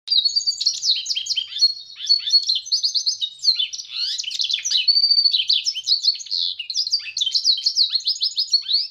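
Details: Pintagol, a goldfinch and canary hybrid, singing a continuous, fast, high twittering song of bright chirps, trills and short whistled notes with almost no pauses, steady throughout nine seconds and free of other sounds.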